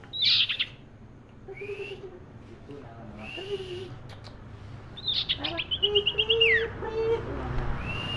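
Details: Common iora (cipoh, cipeuw or sirtu) singing in the busy cetrekan style: high whistled notes and short slurs, then a quick stuttering trill and a falling slur. A low murmur and a steady background hum run underneath.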